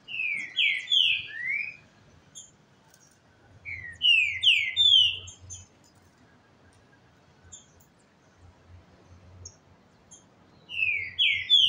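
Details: Captive Green-winged Saltators in a song duel in Brazil, one on a slower first note while not yet agitated, the other singing very fast; three bursts of loud, rich, slurred whistled notes about every four seconds, with soft high chips between.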